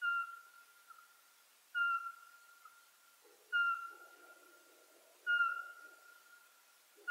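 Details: Repeated call of a Eurasian pygmy owl: five clear, identical whistled notes at a steady pace of about one every 1.75 seconds. Each note fades into a long reverberating tail, with a faint low rustle midway.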